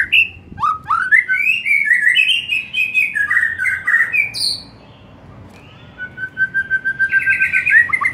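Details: White-rumped shama's afternoon song, used to encourage other shamas to sing more and louder: a dense rush of whistled, slurred notes, a brief lull, then a long level whistle followed by a fast trill.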